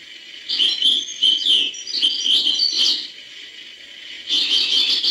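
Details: European goldfinch singing in the style called hbal: a fast run of bright twittering, chirping and buzzy notes lasting about two and a half seconds, a short pause, then another dense burst of twitters, over a faint low hum.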